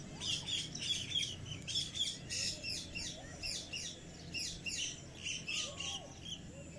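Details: Pet cockatiel parrot chattering in a fast series of sharp, scratchy chirps, about three per second, continuing unbroken throughout, with a low hum beneath.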